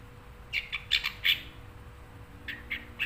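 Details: Kept long-tailed shrike, shown as a cage bird in full form, giving harsh scratchy chirps in two clusters, several quick notes each, separated by a short pause, over a steady low hum.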